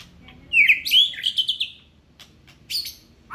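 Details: Kept Aceh white-rumped shama delivering a bright whistled phrase of quick rising and falling notes, followed by quieter high chips and a short low whistle.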